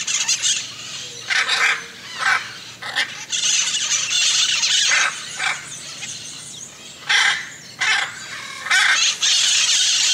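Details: Hyacinth macaws calling with raspy, piercing squawks, some drawn out and some short, in separate bursts with quieter gaps between them.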